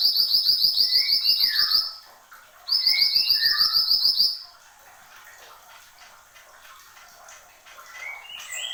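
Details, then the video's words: Persistent song of a Horsfield's babbler: two bursts of rapid, evenly spaced high chattering notes, each about two seconds long and mixed with downslurred whistles, then a quieter stretch of faint whistled phrases. "SUARA BURUNG MANTENAN GUNUNG GACOR"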